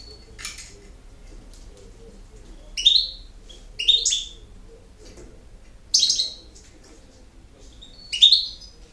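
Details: European goldfinch singing in the campero song style: short, bright buzzy chirps and twittering bursts, each well under a second, repeated at roughly one- to two-second intervals against a quiet background.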